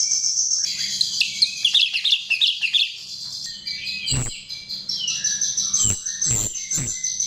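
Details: Lure recording of a chestnut-tailed starling: busy squeaky warbling and chirps at the start, then a sustained shrill tone with short whistles and a few sharp cracks.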